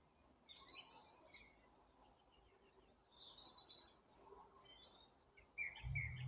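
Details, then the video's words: April birdsong with scattered bright chirps and a thin high whistle, separated by quiet gaps. Brief low thumps come near the end. "Апрель: птицы потихоньку распеваются"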